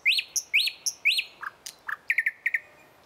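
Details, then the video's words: Thrush nightingale singing in the morning: a loud phrase of three identical rising-falling whistled notes about half a second apart, then lower short notes and a run of quick, sharp chips repeated in pairs. "Best Nightingale song Утреннее пение соловья Спів солов’я"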